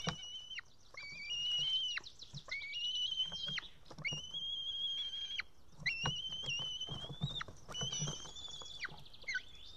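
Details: Young white-tailed eagle chick in a nest in Estonia, evening of 8 June 2018, begging to be fed after failing to tear up a fish: long, thin whistles with a sharp downward drop at each end, repeated in runs, with clicky rustling around them.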